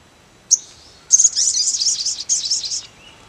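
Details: Sogon bird: a single sharp high note, a pause, then a rapid, high, buzzy chattering trill lasting nearly two seconds, broken once.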